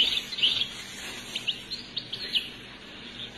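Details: European goldfinch song heard from an unedited cassette, Algeria: a loud bright twittering burst at the start, followed by scattered high chirps and short notes over hiss.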